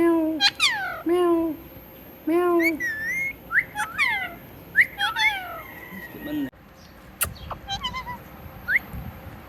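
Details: Pet talking parrot repeating human words in a speech-like voice: bursts of harmonic syllables such as 'meow' and 'me too', with sharp rising whistles between them and a person's laughter.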